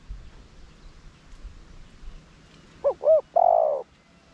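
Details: Decoy spotted dove, 'gù' bowing coo used to spur nearby doves into cooing: near-silence at first, then a single phrase near the end of two swift arched notes and a sustained low coo.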